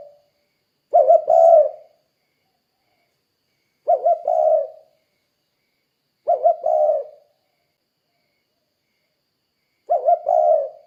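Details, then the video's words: Spotted dove in insistent calling, played to prompt other doves to call: four soft, low coo phrases, each a quick double note sliding into a longer purring hoot, spaced about three seconds apart with silence between. "Suara Burung Tekukur Gacor Kuk 2 Untuk Pancingan Derkuku Biar Cepat Bunyi"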